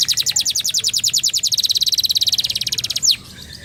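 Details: Canary singing a flam-drag style song: a loud, very fast, even trill of about thirty sharp high notes held for three seconds, ending in a quick downward sweep, then quiet.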